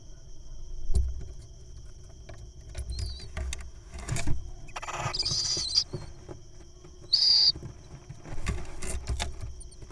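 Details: A wild little owl nestling, being fed a mole cricket that it eats quickly, gives two harsh, hissing screeches about two seconds apart over a steady low rumble and scattered knocks and clicks.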